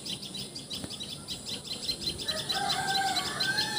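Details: Common tailorbird from Assam, India, giving rapid, high repeated notes, joined midway by louder whistled and chattering calls of other birds.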